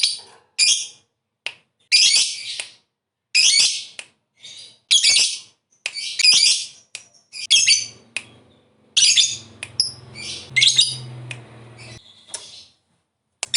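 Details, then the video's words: Lovebird calling in a lure recording for other lovebirds: a series of loud, harsh, screeching squawks roughly one every second or two, mixed with short sharp chips and a faint low hum in places. "Suara Burung Lovebird"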